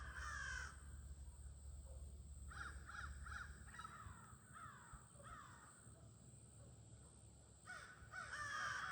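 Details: Flock of crows calling at a near-evening gathering, late August: loud harsh caws open and close the recording, with quieter repeated caws in short bursts between, many birds calling over one another.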